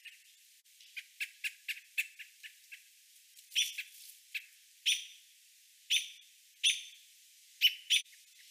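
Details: American robin adults, male and female, warning fledglings and baby birds on the ground: sharp repeated chirps, quick at first about every quarter second, then louder harsh clucking notes spaced roughly a second apart, no other sounds.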